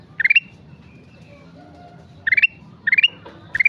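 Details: Sooty-headed bulbul gives an upward-stepping cluster of quick chirps, a pause with faint soft notes, then three more similar phrases in quicker succession.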